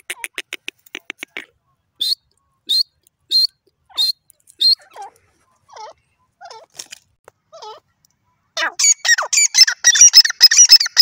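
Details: Grey francolin, or teetar, calling: a quick run of clicky notes, then sharp high notes repeated about every 0.6 seconds, softer lower looping notes, and a closing burst of rapid, harsh, strident notes. The background is quiet.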